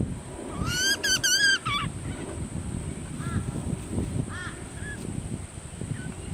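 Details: Baby butcherbird being fed by hand: a burst of strong, harmonic rising squeals at first, followed by a few softer, shorter upslurred calls spaced a second apart, over constant low background rumble.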